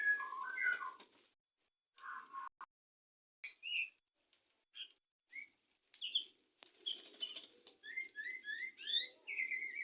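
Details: Courting white-rumped shama from a breeding setup before mating: scattered short whistled bursts separated by silent gaps, ending in a quick string of rising, upslurred notes; soft low murmur underneath.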